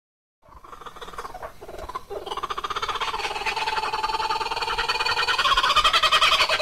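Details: Laughing kookaburra giving its monkey-like laughing call, a bird of Australian eucalypt forests whose voice serves as a jungle sound in films; rapid chuckling notes build into a loud, rising, accelerating cackle that swells steadily to the end.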